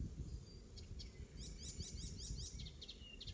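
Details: Icterine warbler singing in a garden at Pieterburen, Netherlands, 17 May 2022: a burst of rapid repeated high chirping notes amid faint thin whistles, over low background rumble.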